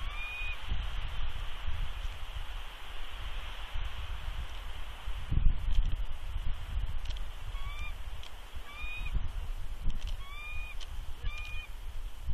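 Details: Wild bald eagle, a nesting female at Big Bear, calls in warning as an unidentified adult eagle perches above her nest with eggs. After a quiet start, a run of brief high whistled notes repeats about once a second. Wind rumbles low beneath.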